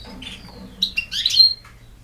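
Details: Short European goldfinch phrase: a soft nasal note, then a quick run of loud, sharp twitters and a clear whistled note, ending abruptly.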